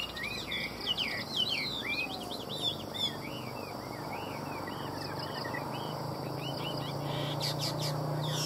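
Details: Caged Chinese hwamei from Vietnam singing a rich, fast run of varied whistled phrases: sliding, looping and trilled notes tumbling one after another, later slurred upward-downward whistles, with a low steady hum and faint background noise.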